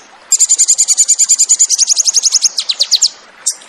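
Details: Crested jay (sogon) in 'tembakan' song for training cage birds: a fast shrill trill that slows into sharper downslurred notes, followed by two isolated high chips.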